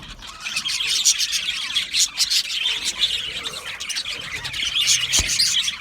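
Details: Budgerigars in a colony aviary, chirping and warbling in uneven bursts, several rapid squeaky notes rising and falling in loudness over a constant high twitter, one brief low knock near the end.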